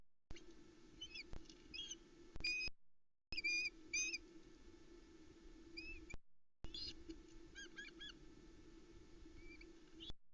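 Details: A hungry Osprey family mobs the male delivering only the third fish of the day, a small trout, at their Arkaig Community Forest nest, 7 July 2020, 20:40, nest camera. Rapid series of sharp high whistled chirps with short dropouts and background hum.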